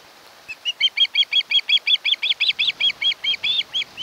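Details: Osprey of a mated pair nesting on Kent Island, Maryland, nest camera, August 2018: a long, rhythmic run of some twenty whistled chirps, close together and slightly rising, over a faint hiss.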